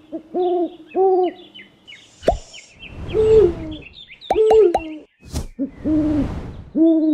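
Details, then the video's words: Owl hoots, low and arched, in pairs at the start and end, interrupted by sharp knocks, clicks and bursts of rushing noise, with small birds chirping steadily at high pitch. "SOM DE CORUJAS - DIVERSAS E INCRÍVEIS CORUJAS - OWL SOUND - CANTO DAS CORUJAS"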